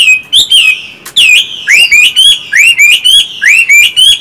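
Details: Pet Chinese hwamei, one of a singing-type and fighting-type pair sharing a home. Bright rising whistles repeated almost every third of a second, each note a sharp upward sweep, forming a steady, vigorous run of song.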